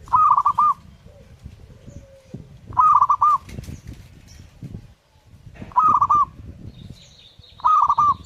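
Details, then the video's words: Zebra dove in full, vigorous song, giving short bursts of four to five clipped, mellow coos. The bursts repeat roughly every two to three seconds, with low rumbling background noise between phrases. "burung perkutut gacor"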